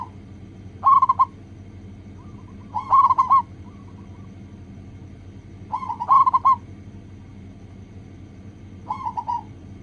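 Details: Local zebra dove song played as a lure so other doves start singing quickly: short phrases of rapid, clipped, bubbling coos at a steady mid pitch, returning roughly every three seconds over a low, steady background hum.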